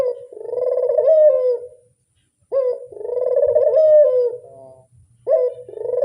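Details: Loud, close Barbary dove coo sung as a lure: each phrase opens with a sharp rising note, then a long rolling, throaty coo that swells and slowly fades. Phrases repeat roughly every two and a half seconds, with near silence between.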